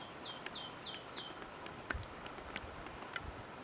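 Goldcrest giving four very high, thin, falling notes in quick succession, followed by a few faint clicks over a low background rumble.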